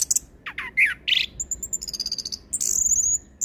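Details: Orange-headed thrush in varied full song for luring and training young thrushes: swooping slurred notes, then a fast run of thin, very high ticking notes and a sustained shrill trill.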